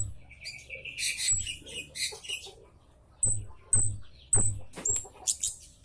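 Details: Loud "citt" calls of the scarlet-headed flowerpecker used as a bird lure: high thin downslurred chips repeated roughly every half second, after an opening stretch of scratchy twittering.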